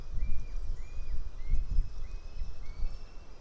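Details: Young white-tailed eagle screaming near the nest as its mother eats a fish, 8:36 am, 8 July 2018; thin whistled notes with slightly rising then falling ends, repeated about every 0.6 seconds over low rumbling wind noise.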